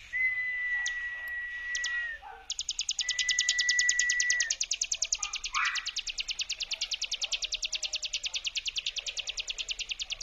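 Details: Mountain prinia ngebrem lure song: a long steady whistled tone first, then a rapid, evenly pulsed high buzzy trill running on for several seconds, meant to provoke other prinias to answer.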